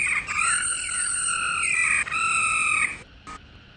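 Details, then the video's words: Female laughingthrush's 'ro' call, given to excite males into song: sustained, buzzy, harmonic notes with gently bending pitch, two long phrases joined almost without a break, followed by a brief faint note. "Tiếng KHƯỚU MÁI RO Kích Trống Hót Căng Mỗi Ngày"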